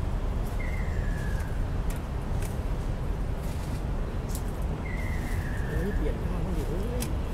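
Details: A Ruddy kingfisher at Suan Rot Fai park, recorded 20 April 2016, gives two clear, descending whistled notes about four seconds apart, over a heavy low rumble like wind or traffic, with faint chirps near the end.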